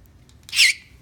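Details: Pet macaw making strange dolphin-like noises. A single brief, high, whistled squeak lasts about a quarter second and bends up then down, against a quiet room background.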